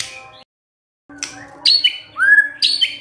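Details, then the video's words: White-rumped shama notes meant to provoke a quiet bird: a short whistle, a pause, then a few sharp high notes and one clear rising slur. "MURAI BENGONG LEWATTT❗Pasti NYAUT Dengar Pancingan ini"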